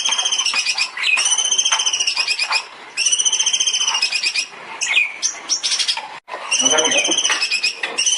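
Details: Master recording of long-tailed shrike song for songbird training: sustained rapid trills of bright, high repeated notes in bursts of about two seconds, separated by brief scratchy and lower passages.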